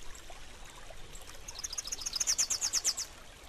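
Rufous-capped Warbler song: a quick series of high, sharp chip-like notes that speed up and grow louder, over a steady background hiss like running water.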